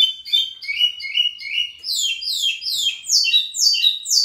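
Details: Lined seedeater, a local pico plat, in full song: steady, rapid sequence of high buzzy notes sliding downward, stepping up in pitch midway, continuing without break.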